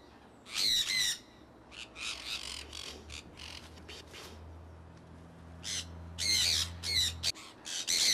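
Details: A pet conure flock flying in Iowa, early spring 2003: scattered raspy squawks at the start and end, a quieter stretch between them, and a steady low hum underneath.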